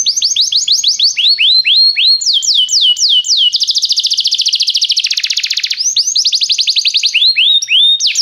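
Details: A restless canary sings: quick series of descending whistled sweeps, slower swooping notes, then a dense buzzy rapid trill before returning to sweeping downslurs, all high and unbroken.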